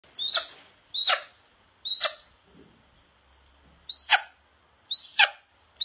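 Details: A resident Harlan's red-tailed hawk, a male, calls as he is about to eat: five hoarse, high screams slurring downward, about one a second, with a short pause midway.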